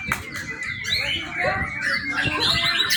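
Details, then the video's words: Young white-rumped shama used as a training lure, singing a busy run of sharp whistles and chirps around a steady high tone, with low knocking sounds underneath. "murai batu muda. cakep buat pancingan"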